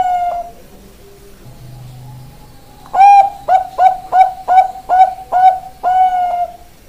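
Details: Zebra dove of the Bangkok type, ringed, said to have a big, long voice: a falling note ends one phrase, a quiet gap with a low hum follows, then a run of seven short coos closing on a long held note.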